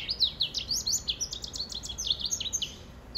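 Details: Song of a hybrid mule bred from yellow-fronted canary, white-rumped seedeater and grey singing finch crosses: a dense, unbroken stream of rapid high chirps and trills, sharply pulsing throughout.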